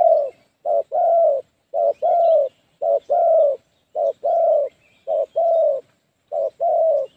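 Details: Spotted dove kept as a decoy bird to lure wild doves for trapping, giving low, mellow coos in paired phrases, a short note then a longer rolling one, repeated about once a second. The background is quiet.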